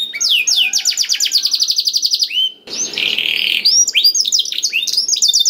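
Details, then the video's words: Isian song of a Black-throated canary, played to lure other canaries into song: rapid bright trilled notes, a brief pause, then a buzzy harsh burst followed by mixed high chirps. "KENARI ISIAN BLACKTHROAT #181 || VOICE OF CANARY"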